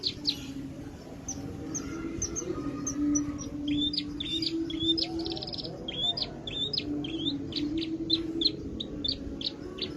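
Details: Javan bush lark in full song, the local style called gacor: a steady stream of short high chirps and quick upslurred notes repeated rapidly over a constant low hum and background noise.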